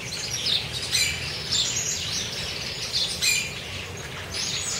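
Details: Chopi blackbirds at a feeding spot in the wild near Cuiabá, Mato Grosso: quick high chirps and squeaky whistles from several birds, in bursts about every half second to second, with low background hum.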